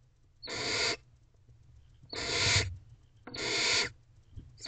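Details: Hungry barn owl owlets in nest box C at 11:22 pm on 22 April 2023, begging while their mother feeds them: three long, harsh, broadband hissing screeches, each about half a second, spaced roughly a second and a half apart.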